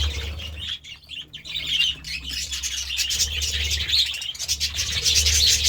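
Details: Pet budgerigars going wild over a meal of vegetables; a continuous stream of rapid high chirps and twittering from several birds, over a steady low hum.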